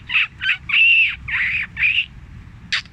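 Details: Fantail played as a lure for trapping birds, recorded on a phone with noise removed: a few harsh, drawn-out squawking notes of uneven length, followed by two short sharp notes at the end.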